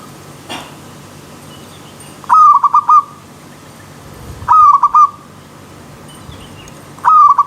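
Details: Wild zebra dove against river stream sound, giving three crisp phrases of rapid hiccuping coos about two and a half seconds apart over a quiet background.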